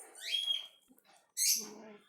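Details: Baby lovebird, one of two chicks hatched to a pet pair and now old enough to climb out of its nest pot, gives a shrill, high chirp, then a sharper squeaky burst, with a woman talking over the second half.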